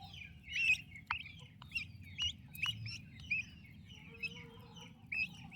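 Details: Turkey chicks cared for by their mother make loud, clear peeps in quick clusters with brief pauses between, plus a few clicks and a faint low background rumble.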